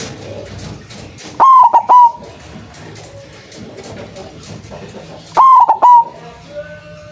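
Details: White zebra dove with a big voice, used as a lure to trap doves: two loud three-part bursts of full, rounded coos, each about half a second long and about four seconds apart, over faint background murmur.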